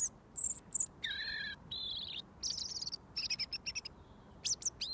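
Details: Robin singing at close range to the person who feeds it mealworms each day. A loud high burst, a lower drawn-out warbled note, then fast high trills and squeaky whistles.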